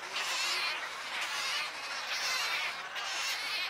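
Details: Begging wood stork chicks at Wakodahatchee Wetland, Florida, a dense buzzy nasal chorus pulsing in waves roughly once a second.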